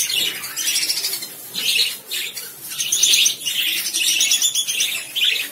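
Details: Dense, noisy chatter of many overlapping shrill lovebird chirps and squeaks, continuous and loud throughout.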